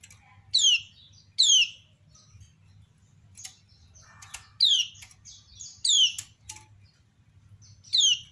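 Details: Kecial kuning (lemon-bellied white-eye) female calling while other birds reply: five loud falling slurred whistles, the first two close together, then spaced more widely, with soft chips, clicks and a brief low rustle.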